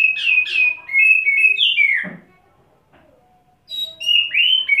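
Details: Oriental magpie-robin kept in wet setting, staying on one spot and displaying while spilling fill-in song: repeated rich whistles with a downward swoop, a pause, then renewed clear whistled phrases.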